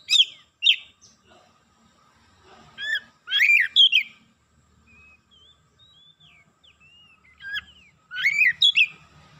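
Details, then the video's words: Excited kacer (Oriental magpie-robin) letting out its isian: scattered bursts of sharp chirps and slurred whistles, quiet soft thin notes in the gaps, and a faint low hum underneath. "DENGAN HITUNGAN DETIK KACER NAIK EMOSI BONGKAR ISIAN"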